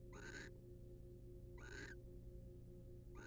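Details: Harsh rasping hisses from a wild barn owl in a nest box as the male preens his mate: three short noisy bursts roughly every 1.5 seconds, with constant low humming behind.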